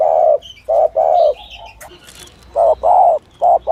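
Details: Lure recording for dove trappers of a spotted dove in 'thổ thúc gù' style: deep hollow coos in short-then-long pairs, broken by a brief gap, while small birds twitter faintly above.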